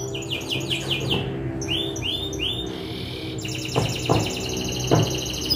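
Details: Young canary song: descending slurred whistles, then swooping looped notes and a fast rattling trill, with a few soft knocks in the background.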